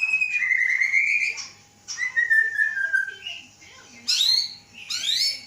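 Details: Aceh White-rumped shama kept in a cage, bred from a Gayo Lues female, hatched 23 August 2012. Long clear descending whistles repeated twice, a short note, then two bright rising upswept flourishes.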